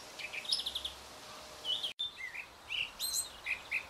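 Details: A male Eurasian blackcap singing in the wind gives quick, high, scratchy notes in short bursts, opening with a rapid little trill and followed by brighter chirped phrases.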